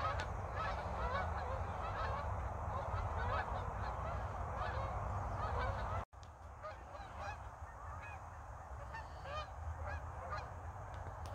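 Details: {'text': 'Geese in flocks flying back and forth over north Idaho in winter before snow: a constant chorus of overlapping honks, thinning briefly after a short break, over a low background rumble.'}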